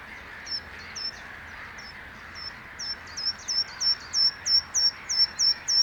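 A Bluethroat gives a run of high, clipped notes that speed up to about three a second and grow louder, over a soft background hiss.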